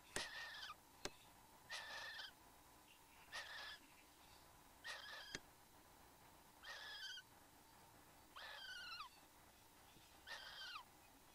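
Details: In Australia on 15 November 2014 at 9:05 am, a male and female satin bowerbird at the bower, filmed by a fixed camera, give rasping harmonic calls that fall in pitch, about one every one and a half seconds, with occasional sharp knocks.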